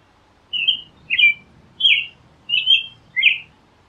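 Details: American robin delivering five clear, whistled song phrases, some rising and some falling, at roughly half-second gaps over a quiet backdrop.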